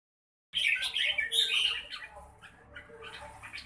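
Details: Red-whiskered bulbul singing a burst of bright, chirpy warbled notes over about one second, then softer scattered twitters trailing off after a brief silent start.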